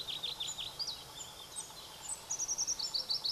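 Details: Pallas's leaf warbler (Phylloscopus proregulus) singing near Erdenebulgan, Khovsgol Aimag, Mongolia, July 2009, one of two birds: a quick run of high dipping notes, then a very high rapid series of short whistles near the end, over faint hiss.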